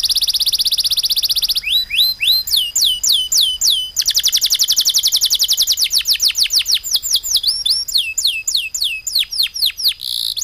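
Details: Loud, long-breathed canary song with rapid 'tembakan' fill notes: steady high whistled tones give way to fast repeated down-slurred notes and buzzy trills, about four notes a second, with no other sounds.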